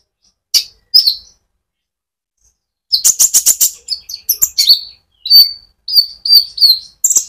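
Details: Rolling 'ngerol' song of a konin, the brown-throated sunbird, meant to excite olive-backed sunbirds. A few soft notes, a pause, then rapid buzzy rattles and repeated high whistles.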